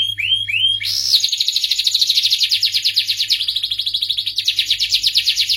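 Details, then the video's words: Canary opens with a few upward-slurred whistled notes, then launches into rapid, rolling high trills that change tempo in stages; low constant hum in the background. "suara merdu kenari"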